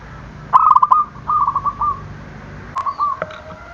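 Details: Zebra dove giving an energetic call meant to provoke rival birds: a sharp, fast trill of cooing notes drawn into a chain of softer bubbling coos, then a shorter, fainter phrase near the end.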